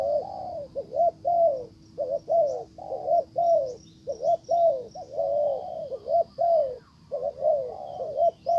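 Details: Spotted dove acting as a decoy, its calls meant to bring back a wild dove that ignores it; dense run of low hoarse coos, nearly continuous, brief breaks, faint high chirps.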